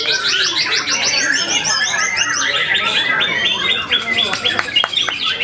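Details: A white-rumped shama pours out a dense, high song of quick repeated downslurred notes in series, bright chips and rattles, over steady background noise with a few sharp knocks near the end.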